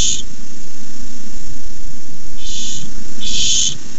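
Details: Barn owl begging in a camera-watched nest when a rat is delivered, May 29, 2015: a short hiss at the start, a pause of two seconds, then two harsh screechy bursts close together, with a low hum throughout.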